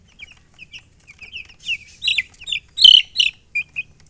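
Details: Baby chickens peep in short, high chirps that start sparse and quiet, then grow louder and more crowded, with a strong burst near the end.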